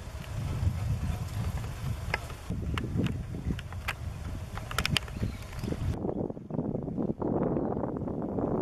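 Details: Low rumbling outdoor noise, like a passing vehicle or wind, with scattered sharp clicks and knocks and no clear animal voice.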